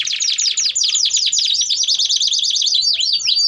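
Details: Canary in full, loud song used as a tutor for young canaries learning to sing: rapid trills of sweeping notes repeated many times a second, shifting between tours of downward and V-shaped syllables, no other sounds.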